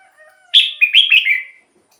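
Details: Red-whiskered bulbul, recorded for luring wild birds or exciting caged ones: one loud phrase of four or five rich, liquid whistled notes that step slightly downward, preceded by faint soft whistles.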